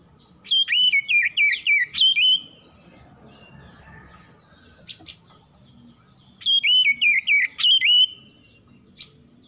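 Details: Oriental magpie-robin, a caged bird answering other song, repeating one loud phrase of rapid up-and-down whistled notes twice, about six seconds apart, over low background noise.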